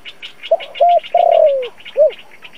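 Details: Spotted dove used as a trapping lure, thổ-style voice, giving one coo phrase of short notes, a long sliding-down note and a rounded final hoot, over rapid rhythmic high chirping in the background.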